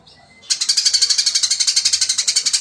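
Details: Fighting Eurasian tree sparrow bursts into a fast, even series of sharp, bright chirps, roughly nine per second, after a quiet start.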